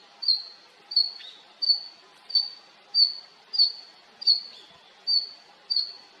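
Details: Female Red-flanked bluetail calling: a steady series of nine short, high, thin whistled notes, each slightly falling, repeated about every 0.7 seconds, with a few fainter lower notes between them and a quiet background.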